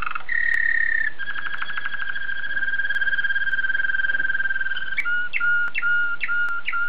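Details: Belgian Waterslager canary singing: a steady whistled tone, then a fast bubbling roll at even pitch, ending in a series of clipped, repeated notes with a quick upward flick, all low and pure in tone.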